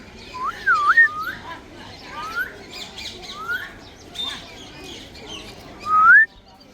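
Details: Grey parrot whistling a string of clear, looping and rising slurred whistles, several short phrases over six seconds, with faint chatter and soft background noise.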